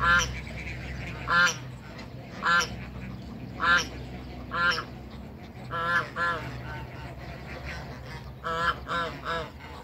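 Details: Male Toulouse goose facing off against a Muscovy duck pair in a backyard, honking repeatedly in loud nasal blasts roughly every second, ending in a quick run of three honks.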